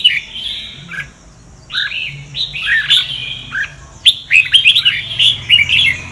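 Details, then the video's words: Red-whiskered bulbul, Sông Kon voice type, singing for voice training: lively warbled phrases of slurred whistles with gaps between them, then a fast run of crisp chattering notes in the second half. "Chào mào luyện giọng cực hay"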